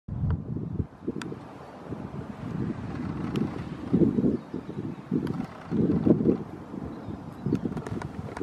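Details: Gusting wind buffets the microphone over a low, steady vehicle rumble, with no animal voice heard.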